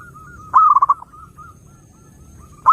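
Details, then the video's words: Zebra dove song used to attract other doves: one loud, quavering phrase of rapid stuttered coos, then a trail of soft faint coos, and the start of another loud phrase at the end. "SUARA BURUNG PERKUTUT _JERNIH_💯AMPUH_SEKALI PUTAR SEMUA PERKUTUT LANGSUNG NYAMBER"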